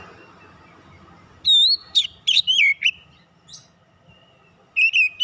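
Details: Lure song of an Oriental magpie-robin: after a quiet start, clear whistled notes and sweeping slurs burst out, a short pause follows, then a final rising-falling whistled phrase.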